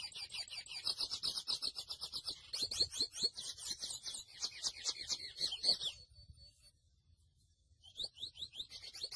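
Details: Grey seedeater, locally named mochuelo, pouring out a long rapid twittering song of high chirps and trills, stopping for about two seconds, then starting again with quick rising notes.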